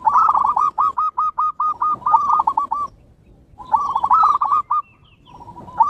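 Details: Training lure of zebra dove song from Bangkok and local birds: rolling phrases of quick, mellow cooing notes repeated in a rhythmic series, two longer bouts separated by a pause.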